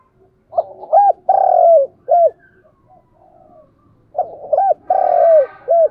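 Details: Lure cooing from a spotted dove to stimulate wild doves: two low, mellow phrases of short hoots around a long rolling coo, with a faint hum in the background.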